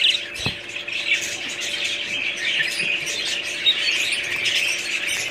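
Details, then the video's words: Continuous budgerigar chatter of mingled warbles, chirps and harsh squawks, with a single sharp knock early on and a louder squeak near the end. "budgies parrots"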